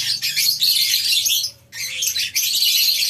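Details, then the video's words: Morning chatter of many lovebirds in a farm's colony aviary: sharp, high overlapping squeaks, a short near-silent gap at one and a half seconds, then the chorus continues. "Suara Love bird"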